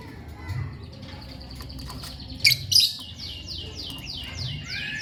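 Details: Lovebird chirps: thin high notes early, two loud squawks at mid-clip, then a rapid series of descending chirps repeated about three times a second, with a low background hum throughout.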